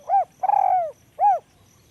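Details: High-voiced spotted dove cooing: an arched note, a long buzzy, slightly trilled coo falling in pitch, then a rounded final coo. Soft insect ticking behind.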